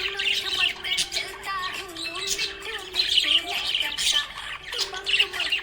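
Budgerigar chirps in bright, rapid bursts of high squawky notes, a few clusters each second, over a steady sung melody of background music.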